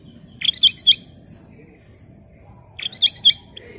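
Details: Kutilang emas, the ruby-throated bulbul, singing actively in a clear voice: a rapid chirpy phrase of three or four liquid notes, a two-second pause, then the same bubbly phrase repeated, with a faint low hum behind.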